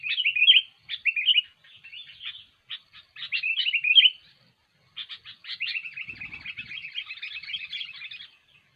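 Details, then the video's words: Sooty-headed bulbul in vigorous song used as trapping bait. Warbled phrases open the passage, then after a pause comes a long, continuous run of rapid, scratchy chattering lasting several seconds, with a faint low thump midway. "SUARA BURUNG KUTILANG GACOR"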